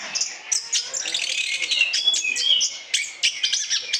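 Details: Orange-headed thrush singing steadily for lure use, mixing clipped high chips with short clear whistles and rattling bursts, the phrases following one another without a break.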